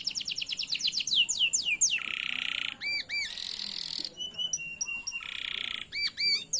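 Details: Singing canary in a training lure for canaries learning to sing: quick falling whistles, a harsh buzzy rasp, looping upturned notes, and short repeated chirps alternating with buzzes.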